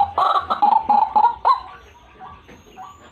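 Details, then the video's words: White-breasted waterhen, recorded for luring birds, gives a quick series of loud, clipped, croaking notes for about one and a half seconds, then trails off into faint, scattered calls. "RUAK RUAK GACORAN"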